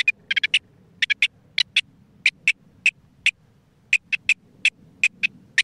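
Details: Rock partridge song heard during a spring call-count census of mountain partridges in Isère: harsh, clipped notes given singly or in quick bursts of two to four, two or three per second, over a faint low rumble.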